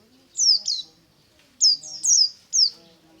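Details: White-eye in morning ngalas song: a few high, thin, falling whistled notes in two groups, over faint low background sounds.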